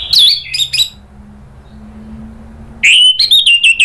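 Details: Anis merah, the orange-headed thrush, in a provoking lure track for birds that have stopped singing: loud, high, warbled whistles in short bursts, a silent gap of two seconds, then a rapid run of bright, varied whistled notes.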